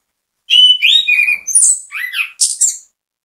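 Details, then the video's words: Orange-headed thrush singing a bait song meant to set others singing. A rapid, varied run of high whistles, chirps and slurred notes, jumping in pitch with shrill, rasping bits mixed in. "ANIS KEMBANG GACOR MEMBUAT ANIS KEMBANG IKUT BUNYI, PANCINGAN ANIS KEMBANG"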